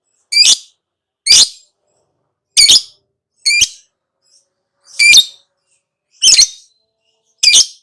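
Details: Lovebird giving harsh, high chirps, single sharp notes spaced about one second apart, seven in all, with silence between.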